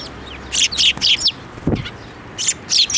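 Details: Sparrows flying onto a hand to be fed at a Tenmangu shrine, recorded 7 May 2024; short bright chirps in loose bursts of two or three, with a low thump midway.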